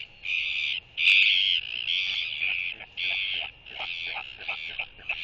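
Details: Male royal albatross on his nest, incubating an egg, greets a returning blue-banded albatross with a skycall, January 2023; a series of loud, rough, harmonic wails broken into about six phrases, over a constant hum.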